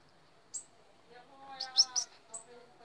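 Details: A Bananaquit from Paraíba, Brazil, perched on a hand, sings a brief burst of very high, thin, buzzy notes while a man speaks underneath.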